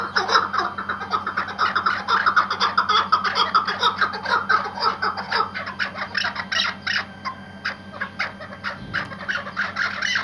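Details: White Iraqi hunting partridge, tethered, in an excited stream of rapid chattering clucks about two per second, the calls thinning and quieting after the middle.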